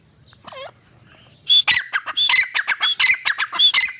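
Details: Grey francolin, known locally as teetar, calling: after a soft note and a quiet gap, loud harsh notes with a high ringing edge burst out, repeated rapidly several times a second in an uneven chattering series.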